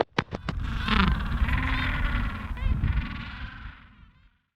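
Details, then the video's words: A king penguin in a colony of several thousand gives a loud, harsh, trumpeting call with a wavering, rough-edged tone lasting several seconds; a few sharp clicks open it, over a deep rumbling background. "King Penguin Vocalizations"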